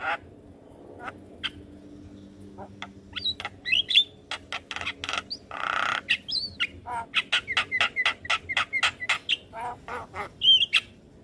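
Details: Javan myna song aimed at training young mynas: quiet start with a few clicks, then dense clattering bursts, a long rasping note, and a quick series of repeated sharp whistled chips near the end.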